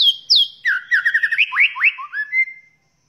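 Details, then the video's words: Varied song of a white-rumped shama, from a recording for tutoring other songbirds: high downslurred whistles, then a fast series of lower chirps, rising slurred notes and a closing flat whistle. "Muray Batu Gacor Full Masteran Isian Banyak"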